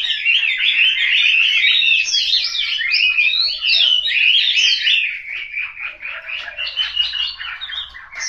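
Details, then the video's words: Home-kept Chinese hwamei in Hanoi sings energetic whistled phrases, rich and swooping at first, then breaking into rapid repeated notes with short pauses. "Họa mi"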